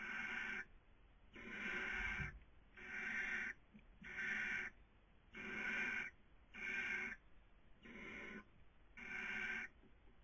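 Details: Nest webcam recording of a barn owl in Cabañeros National Park, Castilla-La Mancha, Spain, 2020 breeding season; harsh, breathy snore-like hisses, each under a second long, repeated regularly about every second, with one soft thud.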